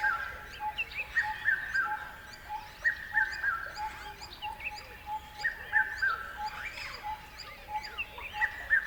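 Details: Birds chirping: a prominent singer gives repeated falling three-note whistled phrases, while many other small birds chatter and tweet in the background and a soft pulsing tone recurs.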